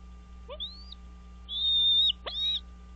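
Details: Wild American bald eagle pair at their nest on Dale Hollow Lake, Kentucky–Tennessee state line, at 05:51 on 4 March 2023. Three thin, high whistled calls rise sharply and then hold steady, with a low steady hum underneath.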